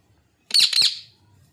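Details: Pet ring-necked parakeet giving a short harsh squawk of two rapid, buzzy, broadband notes lasting about half a second, then fading into a quiet room.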